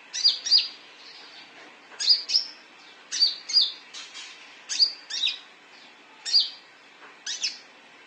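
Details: Konin sunbird calls used as a lure to get other birds to sing: sharp, high chirps in pairs and short clusters, repeated roughly every second, bright and thin, over a quiet background.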